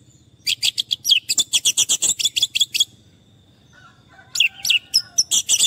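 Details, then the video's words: Orange-headed thrush song used as therapy for stressed birds that have stopped singing: a dense rattle of harsh, rapid chip notes over a faint low hum, a brief lull, then another energetic burst of chips and whistles. "Terapi Anis merah stres dan macet bunyi"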